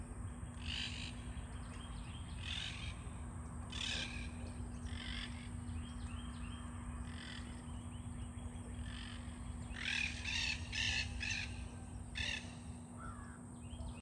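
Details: A pair of monk parakeets calling back and forth in a backyard under cloudy skies: grating, raspy squawks, spaced at first and then bunched into a rapid run near the end, over a continuous low hum.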